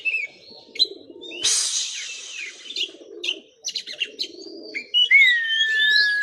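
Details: Oriental magpie-robin showing off its full song repertoire: scattered whistles, a burst of harsh hissing noise and a long clear falling whistle, over soft low cooing from other birds in the background.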